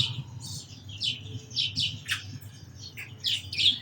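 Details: Sparrow giving spaced, sharp chirps and a few squawky notes, some dipping downward in pitch, separated by short gaps, with a low background hum throughout.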